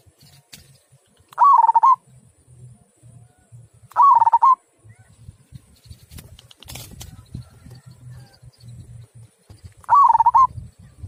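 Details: Zebra dove of a local type giving kung-style song: three short bubbling coo phrases spaced irregularly, around three and six seconds apart, over a continuous low humming rumble and a brief scratchy noise midway.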